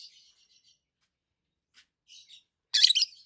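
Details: Two adult peach-faced lovebirds, one red-faced and one white-faced, making soft, chattering twitters that end in a loud, grating double chirp.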